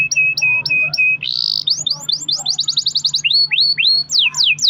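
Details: Caged canary singing a long-rolling song meant as a lure to make other canaries sing: steady whistled notes, a harsh buzzy burst, then rapid rising and falling trills repeated about four per second.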